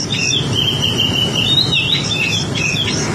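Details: White-rumped shama in 'bawel baceprot' style song meant to lure other birds to answer; a sustained, wavering high whistle with quick twittering flourishes, set against constant low rumbling noise.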